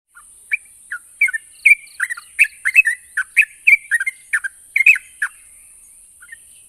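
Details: Yellow-vented bulbul song played to make silent captive birds answer; bubbly chirping notes in quick irregular bursts, rising and falling, over a steady high hiss.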